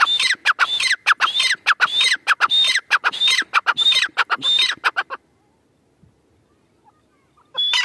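A grey francolin, female, gives loud, harsh, rapid repeated notes in a fast series, then stops after about five seconds and starts again briefly at the end.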